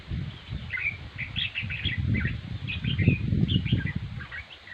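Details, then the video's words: Red-whiskered bulbul singing well: short, clear chirped and slurred notes in quick series, partly masked by heavy low rumbling and thudding handling-type noise throughout. "chim chào mào diab kuam lauj quaj zoo heev"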